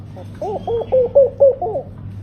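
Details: A tame laughing dove (Senegal dove) utters one phrase of six gentle, bubbling coos, the middle notes louder and slightly higher, delivered in just over a second against a quiet low hum.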